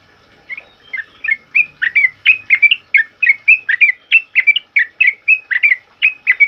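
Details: Sooty-headed bulbul singing loud 'ropel uplik' style song, used to train other caged birds: rapid bubbly whistled notes, each dipping and rising, tumbling out several per second with short gaps.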